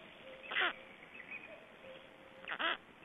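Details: Black storks feeding at an Estonian nest, 25 May 2012: two rough, quacking squawks about two seconds apart, with a faint whining tone between them.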